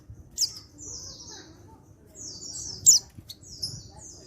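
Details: Male untrained white-eye from Pacitan calling to make other white-eyes answer: high, thin downward-slurred whistles, two sharp bright notes each followed by buzzy falling trills, over a faint low background hum.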